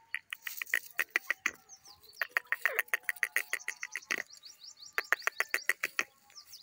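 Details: Grey francolin, locally called teetar, giving a rapid series of harsh, clipped notes, about three a second, loud and uneven, with faint chirps from other birds in the background.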